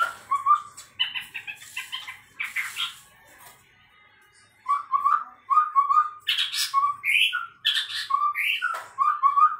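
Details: Chestnut-rumped babbler (tepus tunggir merah), a bird said to at times resemble a white-rumped shama, giving rapid chattering phrases, a brief silence, then a lively string of clear upslurred whistles mixed with harsh rasping notes.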